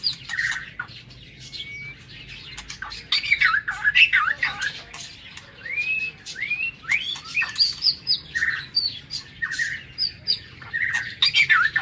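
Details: Caged White-rumped shama in an aviary singing in the morning: long sequence of varied whistles, short upward slurs and buzzy notes amid frequent sharp clicks and rustling.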